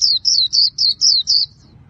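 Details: Caged Japanese white-eye kept by Vietnamese bird keepers, singing in the khuyên líu style: six rapid high descending slurred notes at a steady pace, then a quiet pause with faint low rumble.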